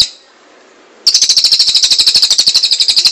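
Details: Cililin bursting into a fast, buzzy, rattling trill of repeated high notes after a second of near silence.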